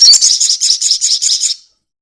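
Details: Crested jay in a long chatter, used as a lure recording to get other birds singing quickly: a rapid, dry, very high rattle of buzzy notes lasting about one and a half seconds, then silence.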